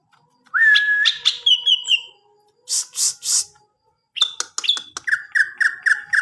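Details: Greater green leafbird delivering a lively varied song of clear whistled notes, rasping bursts and quick repeated chirps in rhythmic series.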